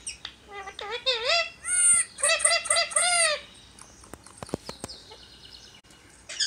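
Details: Rescued pet Indian ringneck parakeet talking to a companion beside a laptop: about three seconds of rapid, warbling, speech-like utterances with rising and falling tones, followed by sharp clicks and taps against a quiet background.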